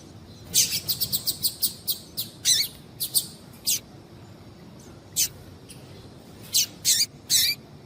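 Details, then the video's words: Female double-collared seedeater calling to stimulate the male: series of short, high, buzzy chirps in quick runs, then scattered single notes and paired chirps with pauses between. "Piado de fêmea de Coleiro Chamando Quente para Esquentar Coleiro tui tui"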